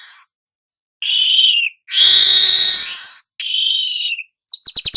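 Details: Young weaver singing nonstop, a training recording for all kinds of birds: hissing buzzes, one long loud rasping sizzle, a mid-pitched buzzy note and a closing burst of rapid clicking trills.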